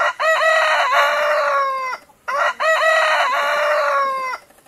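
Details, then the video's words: Rooster crowing twice in succession, each crow a long, loud, harmonic-rich cry held steady then sliding down at the end, with a brief gap between crows. "Tiếng gà gáy"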